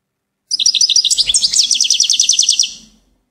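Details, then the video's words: Lively goldfinch song: a single unbroken stream of high, liquid twitters and quick repeated notes lasting about two and a half seconds. "Gold finch TOP SONG of the day"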